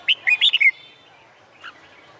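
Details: Short burst of Red-whiskered bulbul song, used to train contest birds on a summer day; five quick whistled notes in under a second, then near silence with one faint note.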